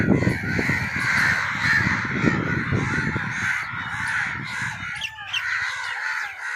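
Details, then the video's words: Many crows cawing at once: rough, raspy caws overlap into a steady chatter, with a few clearer separate caws standing out toward the end. "Crow sounds to attract crows"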